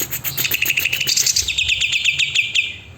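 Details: Greater green leafbird singing actively: a fast series of bright, chirping notes repeated several per second, then a steadier run of clipped whistles, over noticeable background hiss.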